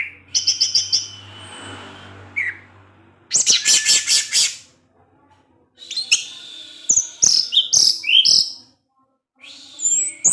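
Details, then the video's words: Evening song of an orange-headed thrush provoking other orange-headed thrushes; dense bursts of harsh chattering notes alternate with quick whistled slurs and short silences. "Anis Merah Teler DiSORE HARI, Kicauannya menggoda ANIS MERAH yg lain. sehingga ANIS MERAH terpancing"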